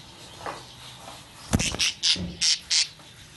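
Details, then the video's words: Birds making loud noises: a burst of harsh, loud squawking calls, about six sharp broadband notes in quick succession after a quieter opening, with a low hum in the background. "Birds Making Loud Noises"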